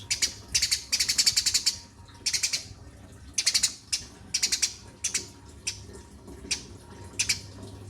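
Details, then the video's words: Sparrow chattering energetically: quick bursts of high, rapid chirps, some stretching nearly a second, repeated with brief pauses over a faint low hum. "Burung Gereja Gacorrr"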